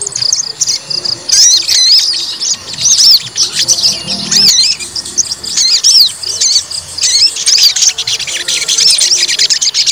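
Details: White-rumped shama being provoked to fight sings a continuous run of high, twisting whistles and chattering notes, loud phrases rolling one into the next with only short dips in volume.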